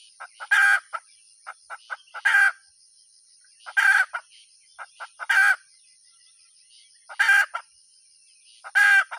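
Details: Hen cackling: quick bursts of short clucks each climb into a loud, raspy squawk, six squawks in about nine seconds, over a constant faint high-pitched hum.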